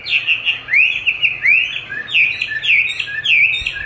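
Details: Chinese hwamei in song training, answering playback of its own voice; loud, clear whistled phrases with rising and falling swoops, rich and varied, delivered in a continuous rolling stream.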